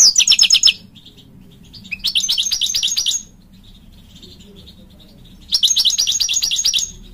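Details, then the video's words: A male European goldfinch calls to the female in three bursts of rapid, high, tinkling chips, each under about a second and a half, separated by pauses of near silence with faint background hum. "ذكر الحسون ينادي على الأنثى Goldfinch Call On The Female"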